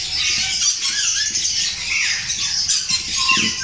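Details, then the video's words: Several rainbow lorikeets give a continuous wash of harsh, high screeches and squawks, overlapping with no pause. "Rainbow Lorikeet Blue Lory Bird"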